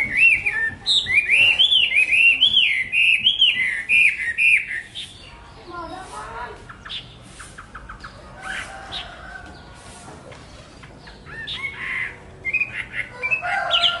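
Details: Chinese hwamei pouring out a strong run of looping whistled warbles for about five seconds, then a quieter pause and scattered short sharp notes and renewed bursts.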